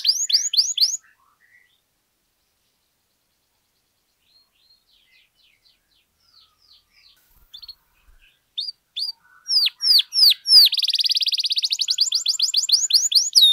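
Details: Long, lively domestic canary song for tutoring and prompting other canaries: a few quick downslurred notes, several seconds of near silence with faint chips, then loud sweeping whistles building into a fast buzzy trill.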